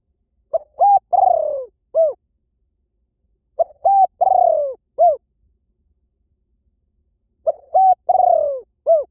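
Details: Lure song of a spotted dove, described as pulling birds in quickly anywhere: three evenly repeated phrases roughly every three and a half seconds, each a short lead note, a coo, a long burring descending croo and a crisp final coo.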